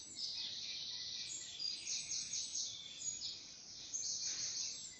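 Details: Many birds chirp and twitter at once in a dense, high-pitched morning chorus in nature, their overlapping calls blending into a steady shimmer with no single voice standing out.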